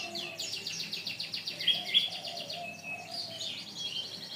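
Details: Canary song from a long training recording made to teach other birds: fast trills of rapid repeated notes high in pitch, with a steady low hum underneath.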